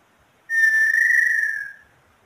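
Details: Long, pure whistle of the inhambu sururina (inhambu pé roxo) from Brazil, held evenly for over a second before sagging a little in pitch and fading.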